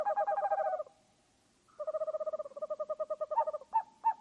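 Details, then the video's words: Owl calling in rapid, buzzy trills of pulsed notes, a long run that stops, a pause, then another trill that breaks into separate louder notes spaced under half a second apart. "The sound of an owl bird//صوت طاير البومه"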